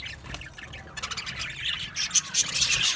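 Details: Aviary budgerigar colony giving soft, busy chatter that swells into louder bright chirps and buzzy squawks in the last second.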